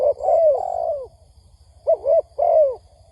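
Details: Lure recording of a spotted dove for trapping wild doves. It opens with a long drawn coo phrase, pauses, then gives two short mellow coos, the last sliding downward. A faint high tone and low hum sit behind.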